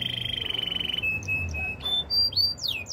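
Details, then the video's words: Canary training song with a pulsing trill, then level whistled tones and rising and falling slurs, over a noisy background hum. "Bird sounds canary chirping! Canary training song"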